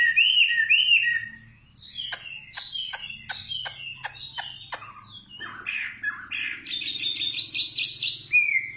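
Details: Singing nightingale: looping whistled notes, then a run of about eight sharp, evenly spaced notes repeated quickly, followed by a buzzy, fast warbling flourish.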